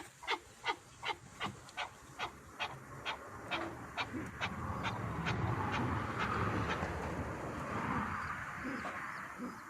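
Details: Partridge calling in a village setting: a run of about eleven sharp, evenly spaced calls, roughly two or three per second for four seconds, then giving way to a rushing broadband wash of noise.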